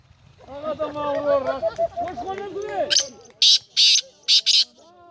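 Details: Black francolin (kala teetar), recorded 19 April 2020: music and voices first, then four loud, coarse rasping notes in a quick rhythmic group.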